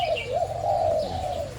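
A dove gives a soft, mellow coo, a low hum that swells and dips gently for about a second and a half.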